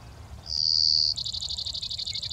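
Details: Wild male Brewer's sparrow singing its daytime short song, typical of unmated males, from big sagebrush near Silver City, Montana, in the morning; a long, high, buzzy note followed by a fast, even trill of bright repeated notes.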